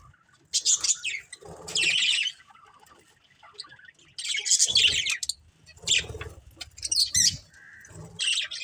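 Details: Colourful pet budgies from one family give separate bursts of high, buzzy warbling and chirps roughly every one to two seconds, with faint low rustling between them.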